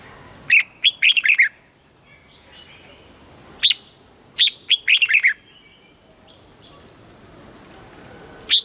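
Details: Red-whiskered bulbul trained to sing in the morning in the 'âm kép già rừng' double-note style, giving jaunty phrases of quick bubbling whistles separated by long pauses and scattered single clipped notes.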